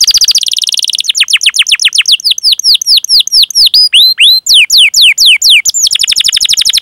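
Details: Long canary song in the chirping, rolling 'cuit cuit ngerol' style meant to stimulate other canaries: a brief fast trill, then a run of loud downward-sweeping whistled notes about four per second, ending in another rapid roll.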